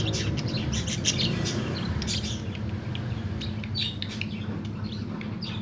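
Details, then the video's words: Tame budgerigar singing in the afternoon, a busy warbling stream of short sharp chirps and squeaky twitters that rarely pauses, with a constant low background hum. "SUARA PARKIT"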